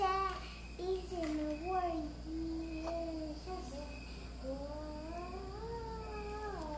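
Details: A 3-year-old male Eclectus parrot on its owner's shoulder, coaxed to repeat it, makes its robotic sound: warbling tones that slide up and down in pitch, with a person's voice and a steady background hum.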